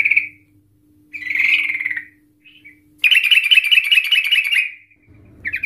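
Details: Sooty-headed Bulbul singing a long trill to lure others into calling: a short note, a descending buzzy phrase, then a sustained harsh rattling trill of about one and a half seconds, followed by a brief low rumble.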